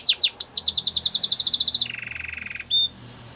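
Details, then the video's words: Belgian canary training song: a rapid run of bright falling chirps about four per second, then a lower, even rolling trill, ending with a short clear whistle. "Listen to this and your belgian canary will sing a lot !! Canary's training song"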